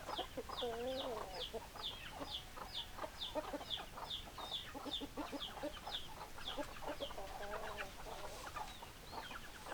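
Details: Chickens, hens clucking: a steady series of thin high chirps roughly every half second over lower overlapping clucks, with a couple of longer wavering calls.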